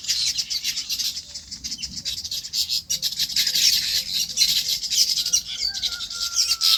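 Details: Farm birds in their habitat keep up busy, overlapping high chirps, while a softer low note repeats about every quarter second in the background and a level whistle closes the stretch.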